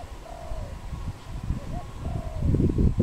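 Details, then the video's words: Wild dove of a pair in Cambodia, 24 April 2020, with a few gentle drawn-out coos and a short note, partly masked by rumbling low noise that grows louder toward the end. "គូស្នេហ័លលក | Dove, นกเขา"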